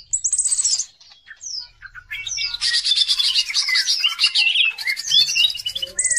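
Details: Lure song of a greater green leafbird, used to spur other birds into singing: a high whistled trill, a pause, then a long, loud burst of scratchy, twittering phrases mixed with sweet slurred whistles.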